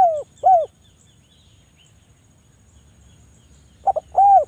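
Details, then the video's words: Spotted dove (derkuku Jawa), a lure for doves reluctant to call: a pair of arched, hollow coos, a long silence, then a quick double note and another coo. "derkuku Jawa super gacor,suara rapat tajam cocok buat pancingan derkuku lagi malas bunyi"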